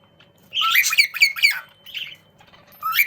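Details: Young cockatiels calling to each other while playing: a burst of harsh, rising chirps around half a second to 1.6 seconds, a short squawk near two seconds, then another rising chirp at the end.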